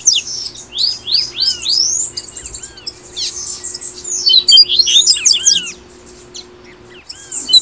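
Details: Double-collared seedeater from Brazil singing in the tui tui style, played to encourage caged birds to sing: rapid, high, sweeping whistled notes in dense overlapping bursts, with brief pauses and a steady low hum underneath.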